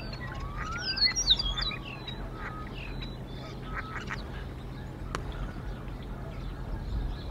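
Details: Early-morning bald eagle exchange at the Decorah nest, the female asserting dominance over a visiting male. Thin squealing whistles rise and fall in the first two seconds, then fade into a low background hum with a single sharp click.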